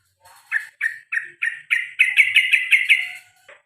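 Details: Pet male sooty-headed bulbul giving repeated 'cuk cuk cuk' notes. Harsh, clipped chucks speed up from spaced single notes into a fast, loud chattering burst, then stop.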